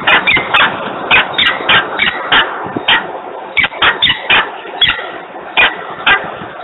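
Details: Screaming peregrine falcon, Włocławek, 3 December 2020, 10:36: grating calls come in quick runs of two to four notes, separated by brief quieter spells, with faint background rumble.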